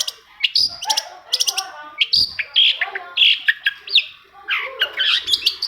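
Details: Long-tailed shrike singing, played to encourage reluctant shrikes to start calling: busy, varied chatter mixing harsh buzzy bursts, clicks and short whistled notes in quick, irregular succession.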